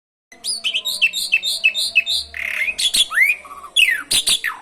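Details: Asian pied starling in full, energetic song with canary imitations: rapid series of short rising and falling whistled notes, then harsh squawky bursts and sweeping whistles, loud and continuous throughout.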